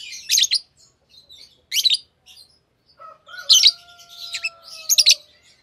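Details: A green Fischer's lovebird pair gives sharp, buzzy chirp bursts about once a second, while a steady, lower drawn-out whistle-like tone runs beneath for two seconds.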